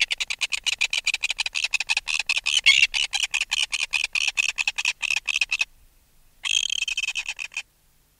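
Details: Close-up alarm calls from an adult red-billed tropicbird removed from its nest: a long, fast rattle of sharp, high, clipped pulses, followed after a pause by a shorter harsh screechy burst.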